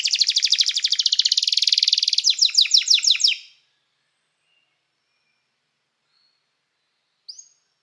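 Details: Canary song meant to call other canaries to sing and teach them: a loud, rapid, rattling trill for about three seconds, ending in quick falling notes. Then silence and one brief faint note.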